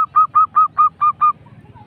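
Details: Zebra dove giving a rolling 'ngerrol' lure song: seven quick, evenly spaced, hooked notes followed by soft trailing sounds over a low background rumble.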